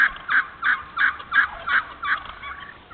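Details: Wild turkey yelping in an open hardwood-savanna stand, Moore County, North Carolina: a steady series of eight raspy yelps, about three per second, evenly spaced and fading slightly at the end.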